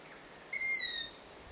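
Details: Young long-eared owl begging for food while siblings beg around the terrain; a single drawn-out, high, thin squeal lasting about half a second, slightly falling, followed by faint distant calls.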